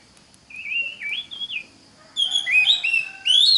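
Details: Teaching song of an Oriental magpie-robin: gentle wavering whistles drifting up and down, then louder layered swooping notes with a high thin overtone, ending on a strong rising whistle.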